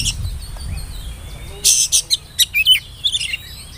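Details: Whistling oriental magpie-robin used as a lure to start young birds singing; a quick run of sharp high chirps and short slurred whistles after a quiet start with a faint drawn-out whistle.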